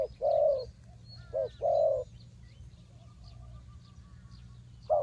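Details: Spotted dove cooing to lure wild birds into a trap: a few low, hollow notes, short then long, then a quiet gap with thin whistles and chirps of other birds before the cooing resumes.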